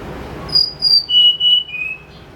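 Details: Snowy-browed flycatcher singing in the morning, recorded as a lure: a short series of pure, thin whistled notes stepping down in pitch, each note drawn out briefly, over quiet background hiss.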